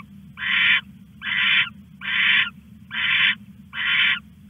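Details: Owl heard at night on 21 August while hiding a rat, from a live camera; five broad, raspy hissing calls at a regular pace near one per second, faint steady hum beneath.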